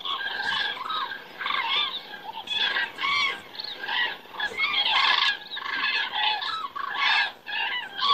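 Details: In Estonia on a September 2017 evening, a flock of common cranes circles overhead, calling constantly with loud, rolling trumpet notes from many birds, rising and falling in waves.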